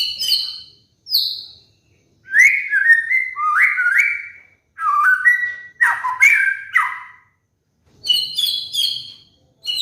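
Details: Cage White-rumped shama master song for molting birds: high clear whistles, then a sequence of rising and falling slurred whistles, with high ringing notes returning near the end.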